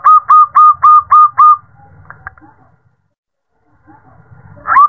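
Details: Female zebra dove calling a male at night, used as a lure for caged birds: six quick, even coo notes in about a second and a half, then a pause with faint low rumble, then another coo begins.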